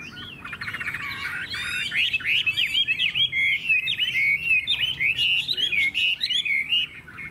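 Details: Caged hwamei kept as a Vietnamese song bird pouring out a dense, hurried warble of short varied whistles and trills that runs almost without pause.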